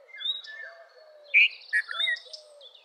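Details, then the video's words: Red-vented bulbul giving a few short, loud, bubbly notes near the middle, a bright clipped note then two lower warbled ones, over a busy background of thin high chirps and a soft repeated low hooting note. "Red-vented Bulbul Song ! Red-vented Bulbul Call ! Red-vented Bulbul Sound! Red-vented Bulbul Vocals"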